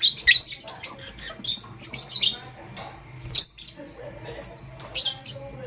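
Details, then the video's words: Pastel gray and green lovebirds, kept as pets, chirping in the morning: sharp high squeaky chirps in quick clusters, some short whistled notes, with pauses between bursts and a faint low hum behind. "Pastel Gray LoveBird Chirping Sound"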